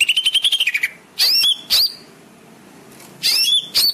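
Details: Greater green leafbird song used to train caged birds: a fast trill of sharp repeated notes that falls away at the end, then separate loud whistled slurs, a quiet stretch, and more sweeping high phrases.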